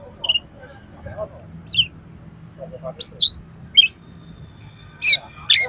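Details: Oriental magpie-robin song full of harsh filler phrases, used to stir up another magpie-robin: scattered short whistles, then a loud rising-and-falling whistled phrase and sharp harsh bursts near the end, with a low background hum.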